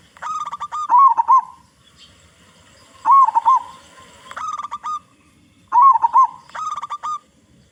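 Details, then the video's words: Local zebra dove, big-voiced, sung as a lure to draw song from other zebra doves. Three cooing phrases, each with a rolling trill and clipped notes, come about every two and a half seconds. "Perkutut Lokal Gacor Suara Besar Suara Paling di Sukai Burung Perkutut apa saja"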